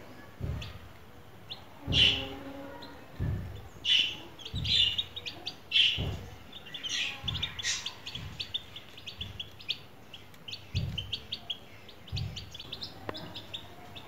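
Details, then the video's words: Several baby chicks, hatched in a homemade incubator, peep while eating sweetcorn: sharp high chirps repeat irregularly, some in quick doubles, over dull low taps from pecking. The calls thin out toward the end. "Baby Chicks (Chickens)"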